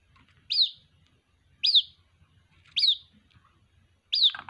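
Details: Young white-breasted waterhen calling for its mother, giving four shrill, thin peeps that drop in pitch, spaced a little over a second apart, over a faint low rumble.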